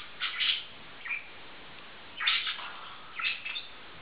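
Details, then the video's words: A pair of male budgerigars in love give a few bright, scratchy chirp bursts, a couple close together, then a pause before two more squeaky calls. "Zamilované andulky"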